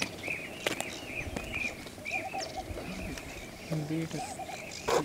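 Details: Blue-tailed bee-eater (Merops philippinus) at Bharatpur Bird Sanctuary, India, giving short, high, rolling chirps repeated about every half second, with people talking nearby and other faint bird sounds.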